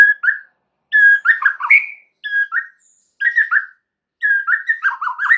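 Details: White-rumped shama song played as a lure to prompt other birds to sing: short clear whistled phrases with quick twisting notes, repeated roughly once a second with brief silences between.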